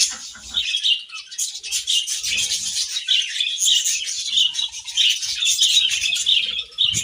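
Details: Budgies chirping while eating grass: a constant flow of high, warbling chirps with repeated whistled notes over soft rustling.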